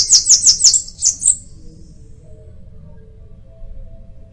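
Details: Short Bananaquit song phrase: six rapid, very high, buzzy-sibilant notes in about a second and a half, the final ones thinner, followed by quiet.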